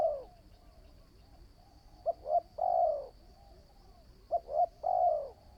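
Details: Spotted dove, a newly trained decoy bird for trapping, finishing one coo and then giving two full phrases, each two short clipped notes followed by a long falling coo.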